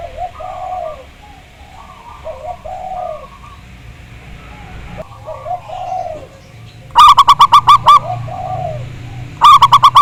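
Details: Zebra dove (perkutut) song, local Javanese bird, played to trigger another to sing: soft low cooing phrases for seven seconds, then a loud series of rapid, clipped staccato coos, starting again at the end.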